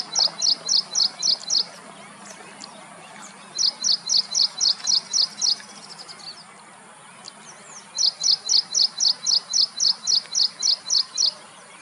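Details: Ashy prinia at Sholinganallur, Chennai, giving three bursts of high, sharp, rapidly repeated notes, about five per second, separated by short pauses, over a faint background hiss.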